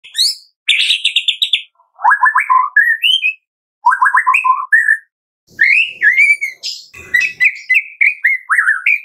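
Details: White-rumped shama song used to prompt captive birds to sing, morning to afternoon: clear whistled phrases, rapid trilled notes and rising slurs with short pauses between bursts, some harsh clicks near the end.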